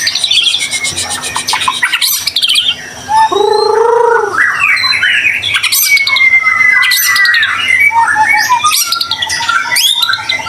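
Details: Singing white-rumped shama, a gacor bird offered as a lure to get other shamas singing. It pours out rapid varied phrases: bright whistles, buzzy trills, a harsh lower squawk-like note near the middle, then quick rising and falling whistled runs.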